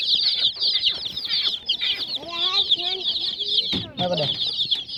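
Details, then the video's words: A crowd of colourful hen chicks giving a steady wash of shrill, piping chirps, with a low human voice murmuring briefly in the middle and another short sound near the end. "Hen Chicks Colour full Baby Of hen Chirping Sounds"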